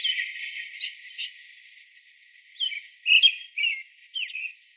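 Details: American Robin primary song, given mostly by males, often heard early in the morning: short, rich caroling "cheerily cheer-up" phrases of slurred rising and falling whistles, about one phrase every half second, after blurred background chatter.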